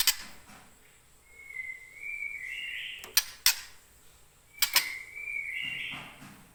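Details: Young wild-caught white-rumped shama from the Leuser forest in Aceh, now kept in captivity and moulting out of juvenile plumage after six months, gives two long rising whistles about three seconds apart, with sharp clicks between them.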